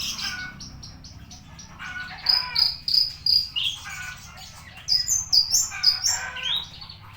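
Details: Javan bushlark recorded on 24 September at 10 o'clock, singing a varied, rapid phrase of high chirps and sharp downslurred whistles in bursts. Steady low hum runs underneath.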